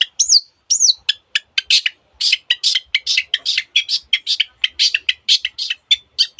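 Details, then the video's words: Long-tailed shrike (cendet) in energetic gacor song with many other birds' sound variants. Two whistled up-and-down slurs open, then rapid scratchy, buzzy notes about three or four per second, high-pitched and dry throughout. "cendet gacor masteran untuk burung yang susah bunyi banyak varian suara burung lainya"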